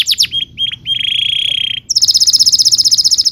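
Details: Canary song recorded for training young canaries: a few quick descending notes, a sustained buzzy rolling tone, then a high fast chattering trill.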